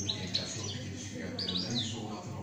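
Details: Kept European goldfinch singing şak şak style: a few sharp, high chirps near the start, then a quick cluster of bright, rising twittered notes, over a low, steady hum.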